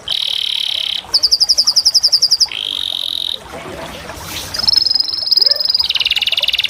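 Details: Canary song built from separate tours: a steady buzzy trill, a higher pulsed phrase, a short low roll, then a bright high trill and a final dense rattling roll.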